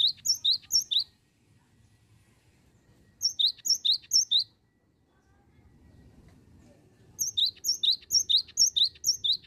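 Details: Cinereous tit singing in the continuous "bocor" style used as a lure, with three bursts of bright two-note phrases. A high note drops to a lower slurred whistle, about four times per second, with short pauses between bursts over a soft low hum.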